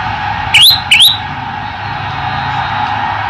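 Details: Male olive-backed tailorbird giving two quick, bright notes, each rising steeply in pitch, separated by a fraction of a second, then only a steady background hum.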